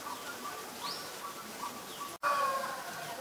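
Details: Black-collared starling (Gracupica nigricollis), Ubon Ratchathani, Thailand, 17 April 2022, giving soft mid-pitched notes and a quick rising whistle, then after a brief break a louder, harsh, grating chatter.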